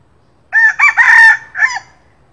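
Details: A red junglefowl gives a single hoarse, four-part morning crow, recorded as a lure call, lasting just over a second and ending clipped and abrupt against a quiet background.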